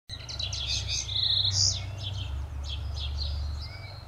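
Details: Common linnet of the nominate subspecies singing: a fast, twittering run of varied notes, with dry trills, short chirps and a bright buzzy phrase near the middle, over a steady low rumble of background noise.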